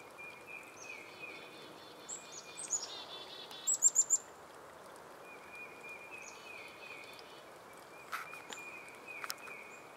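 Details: In a garden, a black-capped chickadee reacts as a military plane passes overhead: thin, high chips, a few harsh, buzzy notes, then a quick run of sharp high chips, over a steady high hum and background noise.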